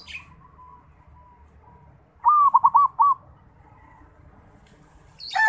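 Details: Young local perkutut from Bali, a zebra dove practising its song: after soft faint notes, one clear phrase of four or five rolling coos lasting about a second, then a high sharp chirp.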